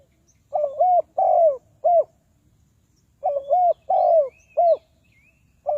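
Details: Spotted dove call used to lure wild doves into traps: loud mellow coos in two bursts, each a short note, a longer drawn coo and a clipped final note, separated by a pause of over a second.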